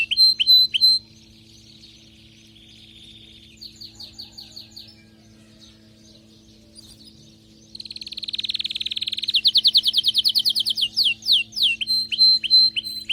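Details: Excited canary singing varied phrases: bright high whistled notes, a long buzzy trill, then rapid repeated chopped trills near seven per second, with a faint steady low hum throughout.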